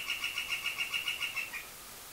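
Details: Male northern flicker marking territory and seeking a mate. He gives a rapid, even run of about eleven high, ringing kek notes, roughly seven a second, then falls quiet; no drumming is heard.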